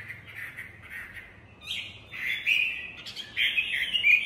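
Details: Chinese hwamei giving a continuous, rich warble of mid-pitched whistled notes. It starts softly and grows louder and more varied toward the end.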